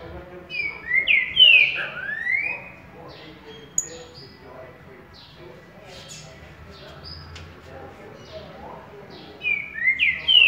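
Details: Green-winged saltator singing at waking in the currucutil boi song style: loud, rich whistled phrases with sweeping rising and falling notes near the start and again at the end, separated by a long quiet stretch of faint background sound.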